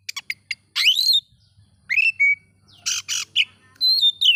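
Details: Oriental magpie-robin song for stirring up other magpie-robins: quick ticks, a rising swept whistle, a flat whistle, two raspy bursts, then high thin whistles, with a faint low hum.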